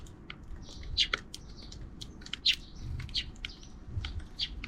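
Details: Sparrows calling off-screen in the afternoon: sharp, high chirps scattered irregularly, some doubled, over a soft low background hum.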